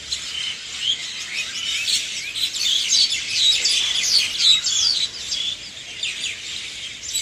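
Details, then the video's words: Early morning birdsong: many birds chirping at once, high twittering notes and quick trills packed closely, rising and falling in loudness with no other clear sounds. "Birds Chirping Sound"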